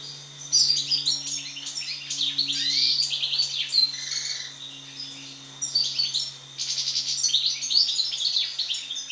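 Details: European goldfinch song after moult, with chattering bursts of high twittering and trills, a short low nasal note near the middle, then a renewed rapid twittering phrase over a low hum.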